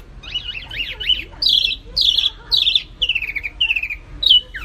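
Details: Songbird tutor recording attributed to a white-eye: zigzag warbled notes, then loud, high, descending phrases repeated at roughly half-second gaps, ending with a sharp downslurred note.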